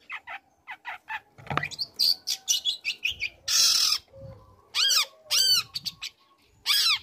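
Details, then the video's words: Young long-tailed shrike learning song material to provoke other shrikes: quick chips and scratchy notes, then loud harsh bursts and several repeated downward-arching notes. "Pancingan Emosi | Cendet Muda Gacor Belajar Materi Bikin Cendet Manapun Auto Nyaut Emosi Ikut Bunyi"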